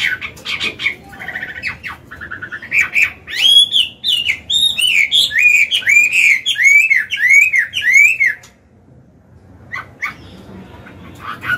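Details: Mature Chinese hwamei singing in forest style for caged-bird training: short chirps, then a run of clear, arched whistles repeated rhythmically, ending abruptly in near silence with faint chips.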